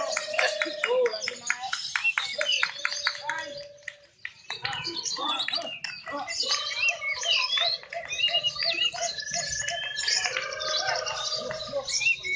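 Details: Competing lovebirds at a singing contest where the most active caller wins; fast stuttering chirp series, a short quiet gap around four seconds, then renewed dense chattering and squeaks.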